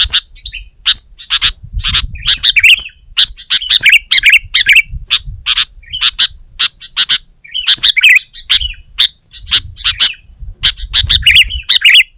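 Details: Sooty-headed bulbul in loud, persistent song aimed at a rival, giving dense runs of chattering, warbled notes interspersed with hard clicks, with some low rumbling underneath.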